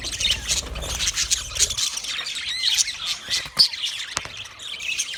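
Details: Budgerigars chirping and squawking in quick overlapping bursts, a few clearer rising and falling whistled notes, over a faint low rumble in the first two seconds.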